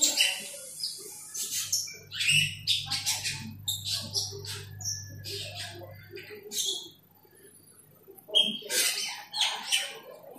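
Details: Rival-directed calling by an Asian glossy starling: rapid clusters of harsh squawks, metallic chirps and clicks, with a low hum early on, a brief pause, then more bursts.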